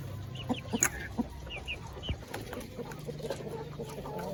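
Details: Village chickens (ayam kampung) kept with laying hens in coops while being fed give a quick series of short clucks and sharp squawks, followed by softer clucking above a continuous low droning hum.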